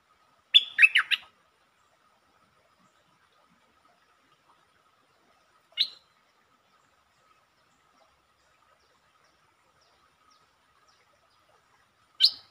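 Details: Sparse streak-eared bulbul singing dated 13/02/2023: a brief cluster of rapid chirps opens, followed by long quiet gaps broken only by two single sharp chip notes several seconds apart.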